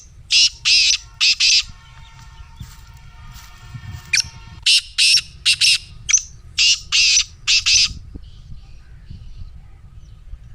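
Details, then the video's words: Black francolin call for prompting a kept francolin: repeated rasping, harsh notes in paired groups across several phrases, with a faint tonal hum in the middle and quieter background afterwards. "Black Teetar Voice"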